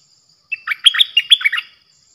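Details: Bulbul decoy song from 8 May 2021: a quick run of rich, gurgling whistles, each note bending downward, packed into about one second. A faint constant high whine sits behind it.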